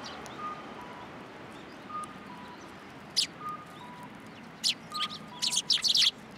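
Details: Sparrows visiting a feeding pillar at a Tenmangu shrine, 7 January 2023. A two-note electronic-like tone, higher then lower, recurs about every one and a half seconds, while loud, high chirps cluster toward the end.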